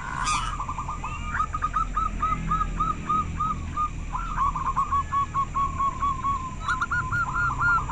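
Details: Local zebra dove from Indonesia, prized for a very clear voice: a long series of short hooked notes near one pitch, evenly repeated, with a steady low hum underneath.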